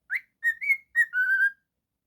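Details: Domestic cockatiel whistling a five-note phrase: a quick rising note, a level whistle, a slightly higher one, a short drop, then a long steady closing whistle, clean and quiet behind.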